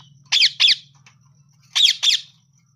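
A parrot gives two pairs of harsh, grating squawks, each pair quick and doubled, about a second and a half apart, over a steady low hum.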